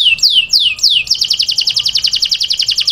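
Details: Male canary singing for a female: four falling whistled notes in a row, then a quick, regular, rattling trill of high chirps.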